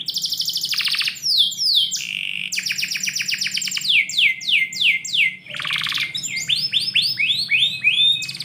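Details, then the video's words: Canary morning song inside a home: loud rapid trills alternating with cascades of descending whistles and a dense buzzy roll, continuous and varied, above a faint low hum. "KICAU BURUNG KENARI - DIPAGI HARI DALAM RUMAH"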